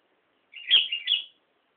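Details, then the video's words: Song of a sooty-headed bulbul recorded at Nambangan, a short phrase of three warbled, slurred whistles lasting under a second, the middle note loudest, in otherwise quiet surroundings. "Kicau Burung Kutilang"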